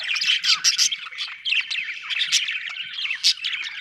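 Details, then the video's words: Lively budgerigar chirping: rapid, scratchy warbled notes run together without pause, punctuated by several brighter high chirps every half second or so. "budgie chirping sound"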